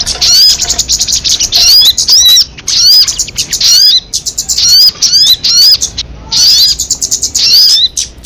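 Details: Crested jay uttering harsh, buzzy high chatters punctuated by clear upslurred whistles, delivered in irregular bursts with a few silent breaks.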